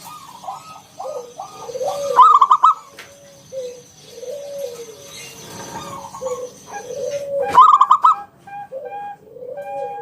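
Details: Ngalun-style 'kung bulat' song of a lively local zebra dove, meant to draw other doves into song: two bursts of fast stuttering notes several seconds apart, separated by repeated low, mellow coos.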